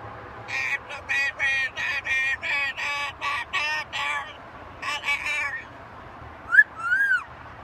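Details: Macaw parrot producing a fast series of about ten short, nasal, evenly spaced bursts like a quack imitation, a brief pause with three more, then a rising whistled note.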